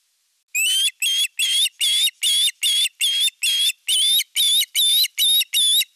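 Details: Osprey at a nest in the Satakunta region of Western Finland, 19 July 2022, as the male arrives with a big fish: loud, high whistled chirps repeated steadily about two to three per second, each note slightly rising, with no other sounds.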